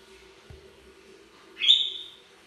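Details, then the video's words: African grey parrot at bedtime, kept as a pet indoors: one short high squeaky whistle that rises sharply then trails off, preceded by a faint knock; quiet steady hum throughout. "African Gray Parrot Bedtime Sounds"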